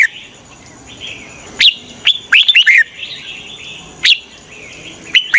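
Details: Decoy red-whiskered bulbul singing to draw in wild birds for trapping: short, loud, clear whistled notes and a quick cluster of rising chirps stand out over soft ongoing warbling chatter, under a thin constant high-pitched hum.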